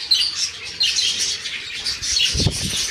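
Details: Two cockatiels, father and son, chattering in high scratchy chirps, with a soft low thump or flutter near the end of the stretch.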